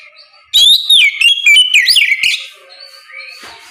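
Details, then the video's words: Morning ngeplong of an Oriental magpie-robin, a lure to make other magpie-robins answer; loud, ringing whistled phrases with quick downward and upward slurs, then a softer, thin trailing whistle. "Suara ngeplong Kacer di pagi hari, pancingan Kacer agar mau nyaut bunyi!!"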